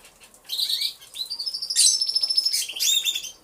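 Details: Many canaries singing together in an aviary, recorded by a hidden camera: high rolling trills and sweet whistled notes overlap in a busy chorus, with bursts of rapid repeated chips near the end.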